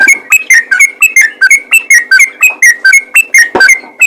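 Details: Yellow-vented bulbul in 'ropel' style, a fast call that makes other bulbuls answer: a steady run of bright, slurred whistled notes, roughly three per second, evenly spaced and harsh with distortion.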